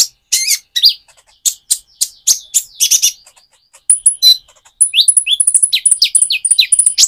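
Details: A spotted immature Van Hasselt's sunbird sings busily, its song played to stimulate another sunbird. Clustered sharp chips give way to thin high whistles and a fast run of rising, sweeping notes.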